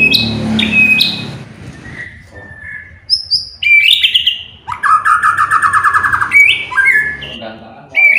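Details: White-rumped shama song played to provoke other birds into singing: rich whistles, a long rapid trill and high sharp notes, with a low background rumble.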